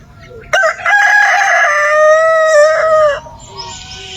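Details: A rooster gives a single loud, drawn-out crow, rising into a sustained harmonic note held for about two and a half seconds before cutting off, with a faint low background hum.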